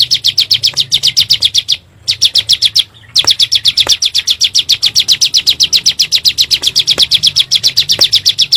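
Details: Bar-winged prinia in the 'nembak' style, a lure recording meant to prompt kept birds to sing: sharp high chirps fired about four per second in a long, steady rattle, with one brief pause near two seconds.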